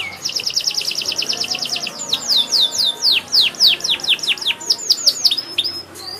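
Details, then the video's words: Canary singing loudly with varied phrases: a rapid run of short repeated notes leading into strong falling whistled sweeps, repeated roughly every half second. "kenari gacor banyak wariasi"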